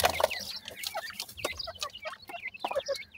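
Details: Close, loud peeping from grey francolin chicks at feeding, rapid high chirps and bent whistles overlapping, with pecking clicks between them.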